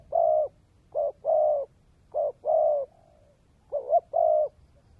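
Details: Spotted dove decoy bird (cu mồi đất) singing in the dense-accented 'kèm dày' style; three deep cooing phrases in five seconds, each a short clipped note followed by a longer, steady purring coo, with a soft trailing note after the second.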